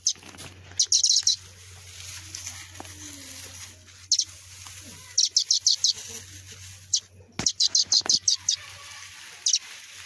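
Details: Two fallen sparrow chicks that dropped from their nest, one of which survived; high thin chirps in quick bursts of three to six notes, repeated through the recording, with a low steady hum beneath.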